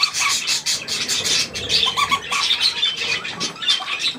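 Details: Dense budgerigar flock chatter with young present, 3 May 2024, millet on offer; scratchy squawks and quick tweets overlap in bursts roughly every half second.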